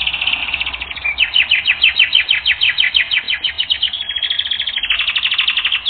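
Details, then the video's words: A canary on a training recording delivers steady, fast repeated chirping notes in a continuous rhythmic series, with a short held tone partway through. "Canary Training Record N°10"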